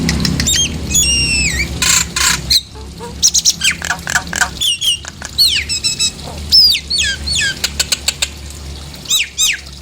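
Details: Nias hill myna calls used to provoke singing: a busy mix of down-slurred whistles, harsh broadband squawks and sharp clicks, loud and irregular throughout.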